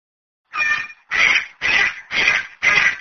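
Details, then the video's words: A cockatoo gives five harsh, raspy screeches, each about half a second long, repeated roughly twice a second with no other sounds. "Cockatoo sound."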